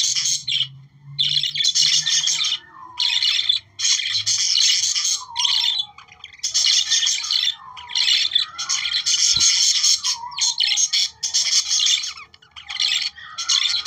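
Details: Budgerigar chatter intended to encourage breeding, a busy, continuous flock warble of harsh squawks and high chirps in repeated bursts with brief pauses, lasting about fourteen seconds.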